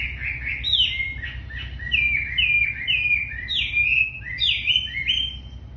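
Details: Very tame racket-tailed treepie in full song, pouring out quick, loud whistled notes, each dropping in pitch, chained into a fast repeating series with brief pauses.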